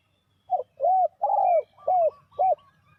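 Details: Spotted dove used as a lure for trapping wild doves, giving a fast phrase of five round, arched coos, the middle one longest and loudest, with a faint thin whistle from another bird.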